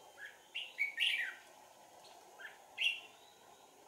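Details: Red-whiskered bulbul used as a trapping decoy, recorded on 4 April 2019: short clipped whistled notes and a brief warbled phrase, separated by quiet gaps, over steady background hum.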